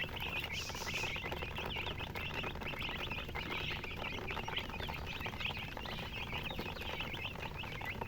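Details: Chicken chicks chirping together, with many thin high peeps overlapping in a steady chorus, partly masked by broad background hiss and low rumble.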